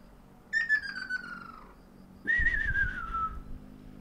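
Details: Two ruddy kingfishers trading calls on 12 April 2019, the year's first: a fainter downward-sliding trilled whistle, then a louder answering one after a short pause, over low background hum.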